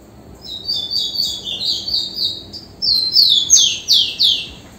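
A Rufous-collared Sparrow sings clear, high whistled notes that slide gently downward, then ends with a quick series of sharper, falling slurred notes.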